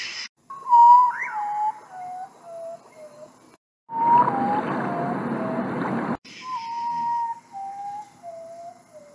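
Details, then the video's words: Common potoo (guajojo) repeating its melancholy phrase three times: clear whistled notes sliding down in pitch, one after another, with a burst of rushing noise behind the middle phrase. "Sonido del guajojo Nictibio urutaú Ave fantasma"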